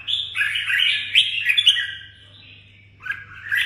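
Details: Red-whiskered bulbul singing in a cage in Đồng Nai, Vietnam: a full, slurred chattering phrase with sharp accents, a quiet pause, then another short warble starting, over steady low hum.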